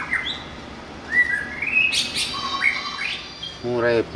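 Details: A wild white-rumped shama sings loud, varied whistles, some rising sharply and some swooping down, then a man's voice breaks in briefly near the end.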